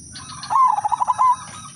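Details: One rolling coo phrase from an udanmas silver zebra dove, a lure singer: a fast pulsed series of about eight beats, dipping slightly, then a short held final note.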